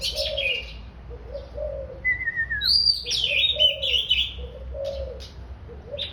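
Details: Oriental magpie-robin giving a long, slowly descending whistle between bursts of high, buzzy, chattering phrases, with repeated low, soft coos like a dove in the background.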